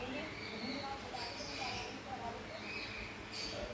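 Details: A grey parrot talks in short, speech-like phrases with rising and falling inflections, announcing it needs to poop, about four seconds of mimicked words over a faint room hum.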